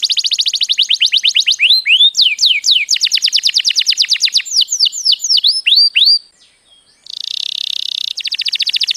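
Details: Canary song used to train young birds and stimulate them to sing: fast repeated trills of descending notes, then slower looping swoops, a short pause, and a buzzy rolled trill followed by rapid chips.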